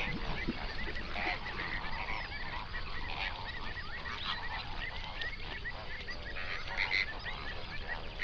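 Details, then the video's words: Hundreds of flamingos on a national park lake in South Africa's Overberg region, binaural recording at sunrise: a dense, unbroken chorus of overlapping nasal honks and gabbling calls from the flock, with a low rumble beneath. "Flamingo sounds"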